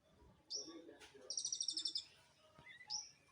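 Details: A bondol or emprit kaji munia gives thin, high chirps: a single note, then a quick run of about ten bright twitters, then another thin note.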